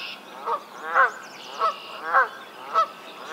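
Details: Canada geese in a Maynard, Massachusetts swamp in spring, May 2024, give loud, nasal two-part honks, about five in three seconds, with faint other birdsong behind.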